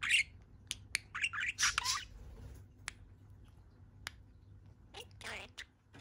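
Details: Pet budgerigar in a good mood on one leg, indoors: a few loud scratchy squawks and chirps separated by sharp clicks and quiet gaps.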